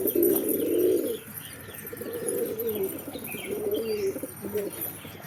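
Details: A loud, close pigeon coo fills the first second, followed by quieter, more distant rolling coos from other pigeons.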